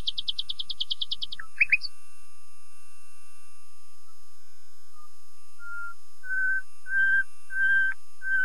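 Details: Rapid buzzy trill from a common nightingale leads into two sharp notes, followed after a pause by lower, drawn-out whistles growing gradually louder.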